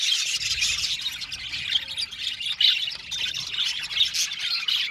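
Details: Australian budgerigars in an aviary colony, a dense continuous chatter of many overlapping high chirps, squawks and warbles, steady and busy throughout with no pauses.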